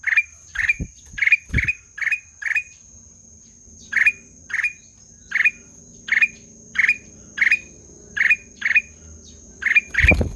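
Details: A long sequence of scratchy, rising-tipped notes from a black-headed bulbul, first rapid then evenly spaced about every half second, over a low background murmur, knocks and a steady high tone.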